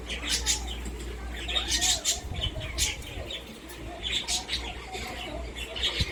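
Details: A pet Indian ringneck, the Asiatic subspecies of rose-ringed parakeet (Psittacula krameri), gives bursts of harsh, scratchy squawks and chatters mixed with softer warbling, mumbled notes, over a steady low indoor hum.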